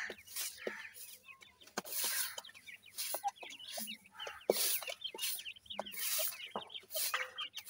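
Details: Francolin chicks during feeding give many short, thin peeps, often sliding downward, scattered through the clip among loud scratchy rustling and pecking noises.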